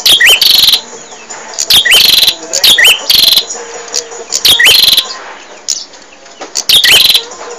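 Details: Repeated song phrases from a bar-winged prinia, recorded to train caged birds. Each phrase is a loud, shrill burst of chirps with an upward-curling note, coming about once a second and then easing off.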